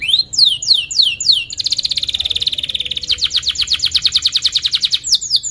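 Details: Lure song of a canary, meant to coax young canaries into learning sounds: rising whistled slurs, then a long rapid trill of even repeated notes that shifts pitch midway and ends in more slurs.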